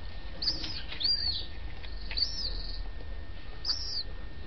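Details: Yellow-legged gull chicks in care at a house, recovered a few days after arriving; a series of short, high, slightly slurred whistled peeps spread irregularly, some faint, over steady low room noise.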